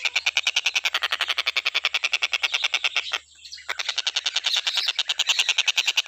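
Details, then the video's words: Stork-billed kingfisher in a continuous tutor recording for training other birds: rapid rasping notes, roughly three and a half per second, a brief half-second break midway, then the same harsh series resuming. "TENGKEK BUTO KHUSUS BUAT MASTERAN,FULL KICAU GA ADA BERHENTI NYA"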